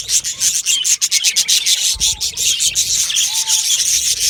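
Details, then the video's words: A colony of yellow male budgerigars in an aviary fills the air with continuous dense, rasping high chatter and rapid chirps, with a few soft whistled notes beneath. "Beautiful Yellow Male Budgies Birds Chirping sounds"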